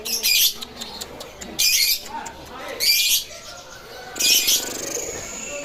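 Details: Lovebird singing vigorously at the Panji bird market in Situbondo: loud bursts of harsh, high, rapid chattering chirps lasting about half a second each, repeated roughly every 1.3 seconds, with quieter market background noise between them.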